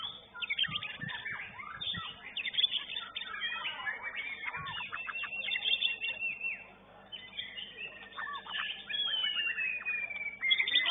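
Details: White-rumped shama in a singing contest at Banjarmasin, the first-place winner, giving a rich, fast, varied song of whistles, chatters and sliding notes, with other song overlapping in the background.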